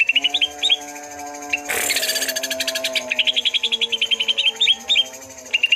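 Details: Greater green leafbirds, twelve birds described as chatty and in full song: rapid bright chips and short upslurred whistles repeated about four per second, broken by a loud burst near the middle, over steady low droning tones.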